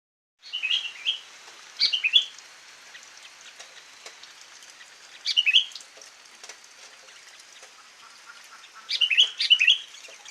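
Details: Sooty-headed bulbul filler song (isian), given as short bursts of bright chirped, warbled phrases near 0.5, 2, 5.5 and 9.5 seconds, separated by quiet gaps with a faint crackling, rain-like hiss throughout.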